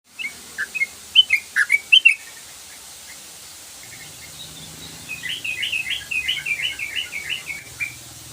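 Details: Sooty-headed bulbul singing in a chattering, lively style: a few bright whistled notes early, a pause, then a faster run of short warbled phrases toward the end, with faint background hum.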